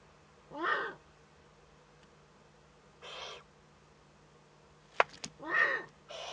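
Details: Owlet of a Eurasian eagle-owl in a webcam nest, northern Rhineland-Palatinate, Germany, 15 May 2013, at first contact. It gives four breathy, rasping hisses, with a couple of loud clicks just before the last two.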